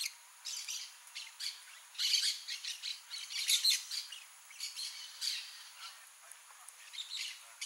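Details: Blaze-winged parakeet, a rare bird in Brazil occurring only in Mato Grosso do Sul, giving harsh, raspy squawks in loose bursts, several overlapping, with busier clusters around the middle.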